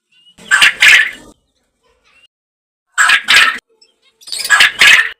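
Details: Farm-raised quail gives three harsh, raspy, two-part calls about two seconds apart, each under a second long, with silence between them.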